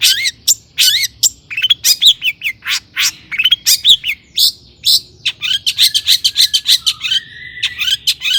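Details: Long-tailed shrike in energetic song packed with mimicked phrases, used as a lure to make other shrikes sing: a rapid, varied stream of chattering, buzzy notes and short whistles, ending in a drawn-out warble.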